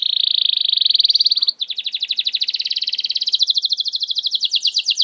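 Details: Canary song played as a lure to get silent canaries singing: a smooth fast trill, a brief break, then a coarser pulsing trill that shifts to a slightly higher, thinner rattle toward the end.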